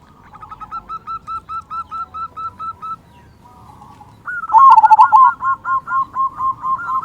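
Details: A local zebra dove with a strong 'kung' voice, played to rouse other doves into singing. A soft, even series of rapid cooing notes is followed by a loud, rolling phrase and a run of clipped coos.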